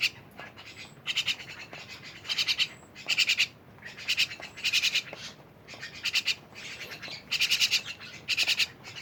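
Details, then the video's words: Myna producing a string of scratchy, buzzing pulse bursts at irregular intervals, some louder and longer than others, with faint background hiss. "rame bersama burung jalak"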